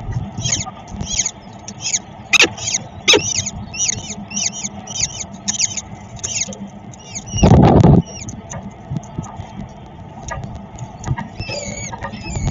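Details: Peregrine falcon in Szczecin, 22 April 2021, at feeding time: a series of short, high, downward-slurred chirps, about two per second for the first seven seconds, then sparser, with a loud low thump near 7.5 seconds and a steady hum.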